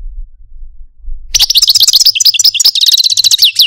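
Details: Caged pet Algerian parva goldfinch singing: after a second of near silence, a dense, fast run of bright twittering and chirped notes with rapid downslurred whistles, continuous and high-pitched.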